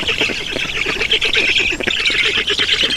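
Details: Estonian black storks at their nest, 7 June 2019, late morning as water is brought in: fast rhythmic rasping squawks, several pulses per second, loud and steady for the whole stretch.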